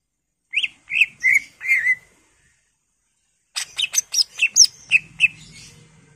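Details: Lure recording of a greater green leafbird singing a full varied repertoire: four slurred whistled notes, a pause of over a second, then a quick series of sharp high chirps and down-slurred whistles.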